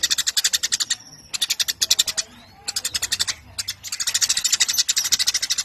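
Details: ['Eurasian tree sparrow recorded as a master recording for training contest birds: rapid bursts of high, dry chirps in dense repeated runs, broken by short pauses near one and three and a half seconds.']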